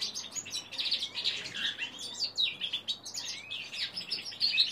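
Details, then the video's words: Young male common linnet × canary hybrid (Linaria cannabina × Serinus canaria), three months old and learning to sing: a continuous, rambling warble of high twittering notes and short buzzy trills with no set phrasing. "linaria cannabina x serinus canaria .. bastaard kneu 3 mnd oud ...bastard po makolągwie wiek 3mies."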